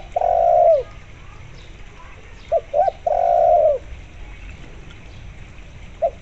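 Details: Spotted dove (Spilopelia chinensis), cooing call.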